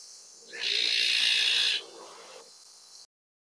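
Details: An Azure-winged Magpie (Cyanopica cyanus) gives a single harsh, rasping, hissy call lasting just over a second, over faint background hiss.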